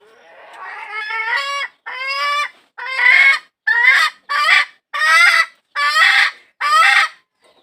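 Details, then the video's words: A hen calling for a rooster gives eight harsh, harmonic, slightly rising calls, repeated less than a second apart and growing louder after the first few. "tiếng gà mái kêu tìm trống"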